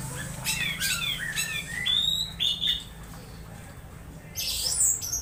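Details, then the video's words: Orange-headed thrush giving odd sounds: clustered sharp chirps, then long rising and falling whistles, and a final burst of high squeaky twitters, with constant low hum beneath. "Suara suara aneh anis merah"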